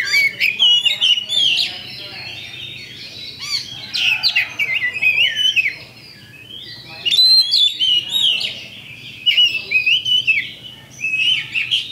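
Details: Lure song of a champion Oriental magpie-robin, used to provoke rivals into fighting: long bursts of rich whistled and scratchy phrases, broken by a quieter gap midway before the song resumes.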